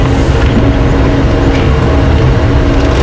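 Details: Loud, steady vehicle engine drone during a morning safari drive at Djuma Game Reserve, with no animal sound audible.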